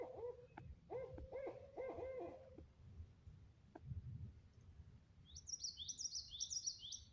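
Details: An owl calling in the wild, heard while waiting to see a black bear cub again: a run of low, mellow hooting notes with harmonics over the first two and a half seconds, later faint high chirps from another bird over a low rumble.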